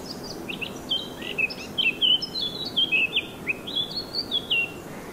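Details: Wild birds singing in a garden in Germany on a morning with a sunlit steaming tent: a lively run of quick, high, twittering whistled notes and slurred chirps, tumbling on without pause over a soft steady background hiss.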